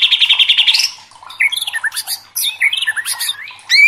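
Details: White-rumped shama (murai batu) in lively, agitated song: a fast run of repeated high chips, then varied whistled and buzzy phrases broken by short pauses, ending on a loud rising whistle.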